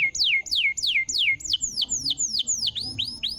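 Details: Canary singing, meant to prompt a silent canary to sing again: a run of repeated high descending slurs that speed up, turn into rising flicks, and then become an even faster chattering series.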